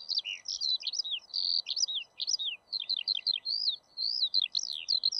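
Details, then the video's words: Eurasian skylark song: fast, high, scratchy warbling runs of twisting notes and short trills, continuous and varied, with a steady faint hiss in the background. "ПОЛЕВОЙ ЖАВОРОНОК-ПОЮЩИЙ ЛЕКАРЬ"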